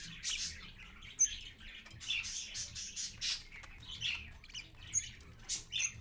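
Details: Early-morning parakeet family, parent with babies, at 6:20 AM on 4.1.15, filmed live; softer scratchy chirps and squawks roughly once a second, with a few thin whistled high notes and one sharp click.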